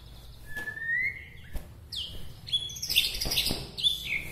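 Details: White-rumped shama of Bahorok, Medan, singing to provoke other shamas: a long rising whistle, then bright varied high phrases with sharp trills and ringing notes.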